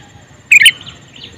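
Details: Male sooty-headed bulbul calling with a single quick pair of sharp, bright chirps, followed by faint, thin twittering.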